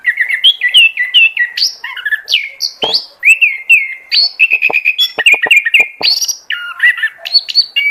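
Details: Oriental magpie-robin lure song for attracting birds, a rich continuous medley of whistled slurs, bent notes and sharp clicks, richly varied and delivered without break.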